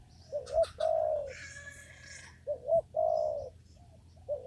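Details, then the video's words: Spotted dove in a papaya garden, recorded while trapping with a lure: a short rising note and a long soft coo, then another pair, overlapped by a brief buzzy chattering from another bird. "mikat burung tekukur di kebun pepaya"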